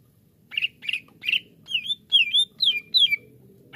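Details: Greater green leafbird, called cucak ijo, uttering seven spaced notes, first rough and chattery, then clearer whistles sliding up, over soft low background noise.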